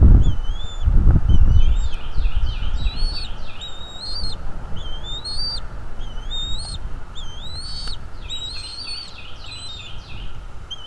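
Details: Bald eagle at its nest, captured by a nest camera on 23 April 2021 at 07:25: thin, high whistled notes and rapid series of descending chirping chips repeating in bursts, with heavy low rumbling bumps and wind noise early on.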